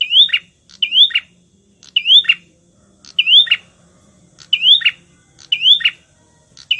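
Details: Lure song of a prenjak (bar-winged prinia), 'tamu' type used to provoke rivals: rapid series of rising whistled notes, each followed by a buzzy chip, repeated nearly every second. Low background hum.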